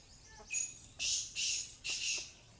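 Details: Female black francolin, known locally as kali madi, calling: four harsh, hissing, high-pitched bursts, each about a third of a second long, in quick succession against a quiet background.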